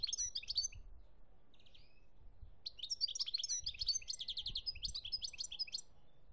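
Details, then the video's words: European goldfinch in Algeria, 2017, giving clustered high twitters, a brief buzzy note, then a long, rich sequence of tinkling chirps and fast trills, over faint low background noise. "chont chardonneret algerie 2017"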